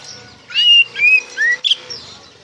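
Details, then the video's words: Oriental magpie-robin ngeplong song used to provoke young untrained birds to respond: three pure descending whistles and a sharp chirp, set against a noisy background murmur. "PANCINGAN SUARA KACER NGEPLONG GACOR DIJAMIN NYAUT KACER BAHAN"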